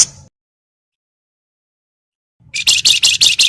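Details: Lively Javan myna crecetan chatter meant to prompt other birds to sing: a brief harsh note, a long silence, then a fast string of about six loud, rasping, buzzy pulses.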